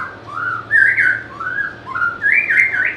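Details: White-rumped shama, prized for its sweet and varied voice, giving loud, mellow whistled phrases that climb and dip in smooth slurs, three or four in quick succession.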